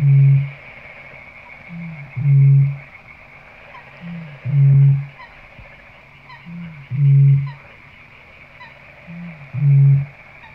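Eurasian bittern booming: five deep, hollow foghorn-like booms, each led by a soft intake grunt, roughly every two seconds, over a faint steady high hum.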